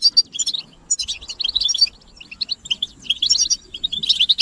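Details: European goldfinch group chirping used to spur males into song: short clusters of high, bell-like twitters come in bursts separated by brief gaps.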